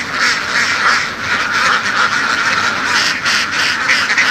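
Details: A flock of laying ducks herded in western Vietnam's fields gives a dense stream of rasping quacks, louder bursts standing out over the continuous flock noise.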